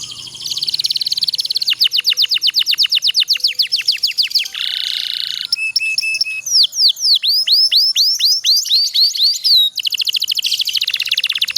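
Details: Canary song used to encourage idle canaries to sing: buzzy trills, sweeping falling notes and a harsh rasping burst, with dense rapid phrases filling the recording.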